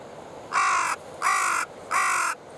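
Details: Wild carrion crow close by at a waterside feeding spot on the Oita River, October 15 morning: three loud, coarse, evenly spaced caws, each about 0.4 seconds long, with brief quiet gaps.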